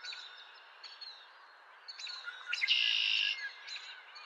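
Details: Male song sparrow singing on April 10, 2023; scattered high chirps lead into a loud, dense buzzy phrase lasting about half a second, with faint bird calls in the background.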